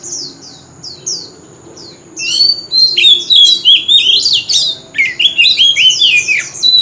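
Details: Male White-rumped Shama in competitive contest singing, delivering continuous song in a wild-forest voice: a few thin descending whistles, then a dense rush of rich, varied warbled and whistled phrases swooping up and down.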